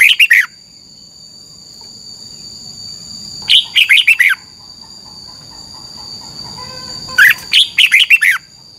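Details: Caged Red-whiskered bulbul in Thailand delivering 'double' style song used to train birds. Short clusters of rapid, liquid, falling notes come about every three to four seconds against a constant high-pitched hum.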